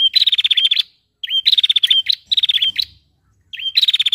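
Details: Female prinia calling, a sound meant to stir males into singing: short bursts of rapid, even ticking notes at high pitch, each opened by a quick rising slur, repeated about four times with brief silences between.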